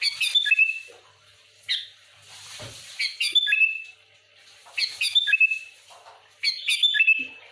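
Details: Chatty sooty-headed bulbul pouring out dense song to challenge rivals: three bursts of bright chirpy notes, each ending in a clear slurred whistle, separated by brief pauses with faint rustling.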